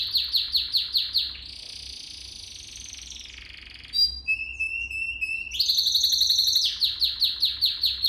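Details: Training song of a canary: quick repeated chopped notes, a long buzzing trill, a clear whistled tone, then loud rapid rattling and more evenly spaced sweeping notes, over a soft low hum.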